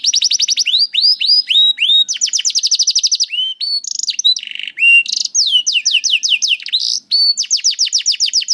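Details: Canary song meant to coax young or quiet canaries into singing: long, continuous varied phrases of rapid trills, upslurred and downslurred whistles, and buzzy segments, switching tours every second or so.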